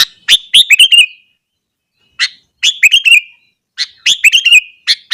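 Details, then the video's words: Morning song of a sooty-headed bulbul meant to rile rival bulbuls: three short, bright phrases separated by pauses, each a sharp chip followed by a rolling, descending warble. "burung kutilang gacor kesetanan yakin bikin tilang lain langsung naik emosi"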